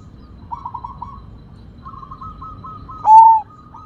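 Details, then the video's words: A rare Sumbawa zebra dove with a big voice sings runs of soft, rapid staccato cooing notes in a quavering series, then ends on one loud, clear slurred coo. "Perkutut Sumbawa Gacor Suara Besar"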